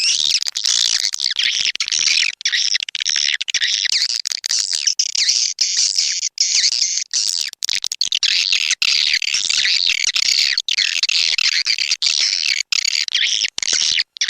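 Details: Swiftlet-house lure track SP Anak Gembala, from Indonesia, an outdoor sound played in Sóc Trăng and Đắk Nông, Vietnam: an almost unbroken wash of high, shrill swiftlet twittering and chirping, with barely any pause over the whole stretch.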